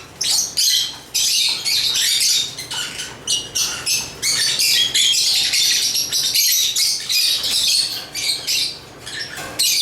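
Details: Rapid, staccato lovebird chirps come in quick clusters, sharp high twitters and rasping squeaks repeated many times over nearly ten seconds.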